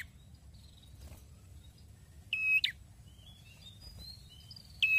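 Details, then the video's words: Prenjak kepala merah, a red-headed prinia, singing actively: two loud, buzzy, flat notes about two and a half seconds apart. Each ends in a sharp upward flick. Faint thin whistles and a low steady hum sit in the background. "PRENJAK KEPALA MERAH BAGUS,GACORNYA BIKIN KETAGIHAN"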